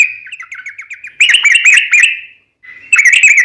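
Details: Sooty-headed bulbul, described as a lively singer with a long rolling song; bubbly chattering phrases around a steady high tone, notes repeated rapidly with a short pause before the song resumes.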